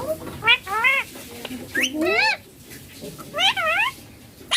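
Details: Green Indian ringneck parakeet, a pet taught to say papa and mummy, gives several rising-falling harmonic vocal phrases spaced about a second apart, with short quiet gaps between them.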